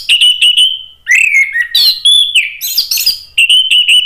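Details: Lure recording of an orange-headed thrush. Quick repeated whistled notes lead into a falling slur, then a varied run of loud warbles and harsh notes, closing with more rapid whistles.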